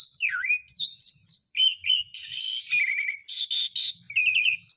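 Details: Asian pied starling singing, offered as a calling lure for birds that have stopped singing: downslurred whistles and quick wavering notes, then loud harsh rasping bursts followed by short trilled phrases.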